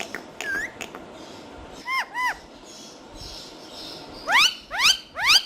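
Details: Green talking parrots give a few scattered chirps, then paired arched whistles. The clip ends with three loud, sharply rising squeaks over faint background noise.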